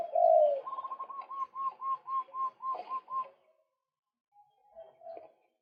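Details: Male white-breasted waterhen call, played as a lure for birds: one loud mid-pitched note, then a fast run of about ten even, repeated notes lasting two seconds, followed by a pause and a few faint notes.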